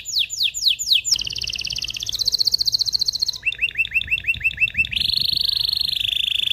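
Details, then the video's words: Singing canary stimulating males and females to mate. It opens with sweeping downward notes, moves into buzzy rolls, then a row of quick upward chirps, and ends on a sustained steady roll. "تغريد طائر الكناري هائج , لتجهيز الاناث و الذكور للتزاوج والغناء"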